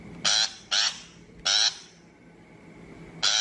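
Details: Shrike calling for a trap loudspeaker lure: three quick grating notes in close succession, a pause of over a second, then another rasp.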